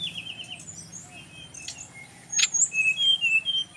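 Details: Brown-chested jungle flycatcher song from Bali, said to make others of its kind reply: soft high whistles, then a sharp click and a run of clear, level to slightly falling whistled notes near the end.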